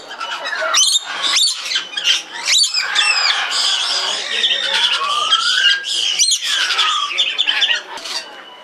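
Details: Red lory calling in a zoo in Belgrade, Serbia, recorded in 2022: harsh, shrill screeches and rasping squawks in a dense overlapping run, with short pauses near one, two and a half and six seconds.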